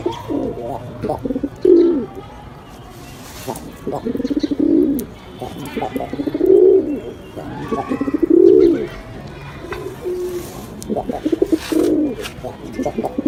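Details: Pet male pigeon, newly paired with a new female, gives deep, throaty rolling coos, low and swelling, repeated roughly every two seconds, with faint clicks and rustling between phrases.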